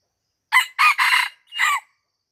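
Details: Aceh red junglefowl crowing during luring beside a house in Lamteuba, Indonesia: one brief sharp note, then two drawn-out rough syllables run together, ending with a separate rising burst, with nothing else audible.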